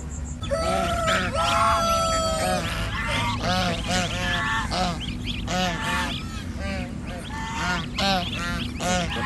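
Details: Six-day-old domestic goslings on a village farm in India, giving a busy stream of thin, wavering peeping calls that rise and fall, overlapping continuously, with a steady electrical hum underneath.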